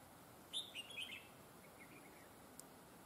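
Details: Red-whiskered bulbul being trapped, credited with a very good voice featuring double linked phrases: one lively, loud burst of sharp, chattering whistles lasting under a second, trailing into softer notes, then quiet with a single faint tick.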